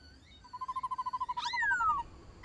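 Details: White-cheeked laughingthrush in wild-style song, played to stir captive birds into singing: a rapid run of about a dozen even notes, then a bright whistle sweeping up and sliding steadily down.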